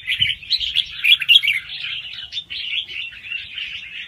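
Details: Soft rapid song of a young wild red-whiskered bulbul, used for stimulating other birds. The opening is a louder bout of clipped chirps, followed by smoother continuous twittering warble.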